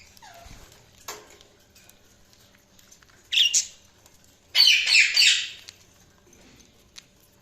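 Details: Budgerigars chirping: after a quiet start, a short harsh burst near the middle is followed by a louder, scratchy chattering run lasting about a second, with a faint click at the end.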